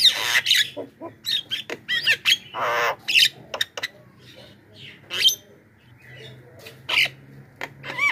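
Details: Javan myna lure sounds for attracting wild mynas, dense harsh squawks, chatter and clicks in the first half, then sparse screeches and a rising whistle at the end.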